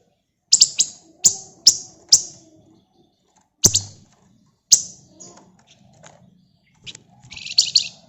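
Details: Scarlet minivet, or flamboyan, singing: four crisp high chirps evenly spaced at the start, two more after pauses, then a rapid chattering run of high notes at the close; quiet background.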